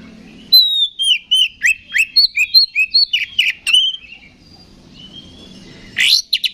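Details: Oriental magpie-robin singing to provoke fighting in rival magpie-robins: after a brief pause, a fast series of bright whistled notes, many falling, delivered steadily for three seconds, then a quiet gap and a short harsh buzzy burst near the end.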